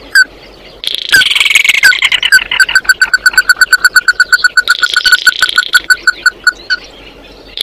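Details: Oriental white-eye calling the flock: a rapid, somewhat uneven series of bright repeated notes, about two a second, with bursts of high buzzy chatter near the start and middle.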